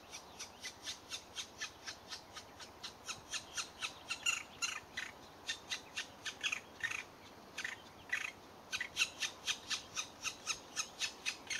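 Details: Black woodpecker young, being fed by an adult, beg with harsh, raspy calls about twice a second in a steady stream, some louder and more ragged than others.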